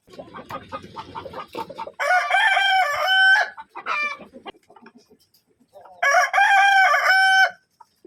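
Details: Two long, strident crows from a Kadaknath rooster, the first preceded by busy clucking and chatter, the second after a quiet pause.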